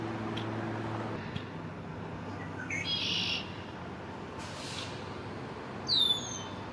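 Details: On May 1, 2024, an immature male Red-winged Blackbird claims territory in a downtown backyard. Two fainter buzzy, rasping bursts come first, then a single sharp downslurred whistle near the end, against a low steady background drone.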